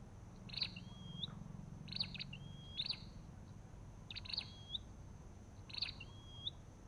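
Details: Olive-backed tailorbird, recorded alongside a white-eye: five short bursts of dry chirps, each followed by a thin, rising whistled slur, spaced roughly a second or more apart over steady low rumble.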